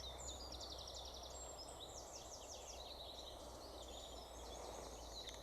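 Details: Common Chiffchaff calling at Sawbridgeworth Marsh reserve, England, in early May 2020: high, sharp notes in a steady repeated string, partly masked by other birdsong (reed bunting, sedge warbler, whitethroat, distant cuckoo) and a constant low hiss.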